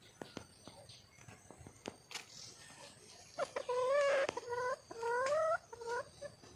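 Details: Female red junglefowl, a wild hen, calling for a mate: soft clicks first, then a run of loud nasal wavering notes, each rising slightly, in two clusters near the end.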